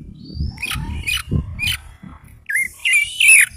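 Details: Caged orange-headed thrush (anis merah) in Indonesia, tired after being exercised, giving high sharp chirps then a run of whistled, varied notes, over low thumps and cage rattling.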